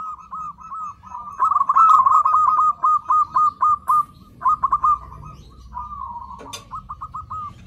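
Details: Zebra dove calling as a lure for other zebra doves, a fast rippling coo that breaks into evenly spaced staccato notes, then resumes in short bursts, with faint clicks and low background rumble.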